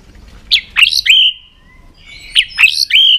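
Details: White-rumped shama provoked into fighting song: two bright, loud whistled phrases, each a quick run of sharp notes ending in a sustained level whistle, separated by a short pause.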